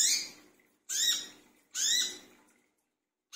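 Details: Brown-throated sunbird calling noisily at night, lure recording: three harsh, strained high notes about a second apart, each fading out, followed by a short silence and another onset.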